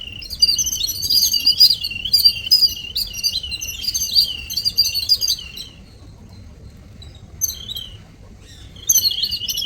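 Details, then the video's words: Morning visitors, a group of little birds, chirping in a busy, high-pitched twittering chorus for about six seconds, then a near-silent pause broken by brief chirps before the lively chatter resumes at the end. "Birds sound/birds sound effects/little birds sound/morning visitors"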